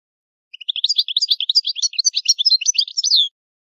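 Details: European goldfinch from Italy giving old-style song, a continuous run of fast, high, liquid twittering chirps lasting about three seconds and closing with a falling slurred note; nothing else audible.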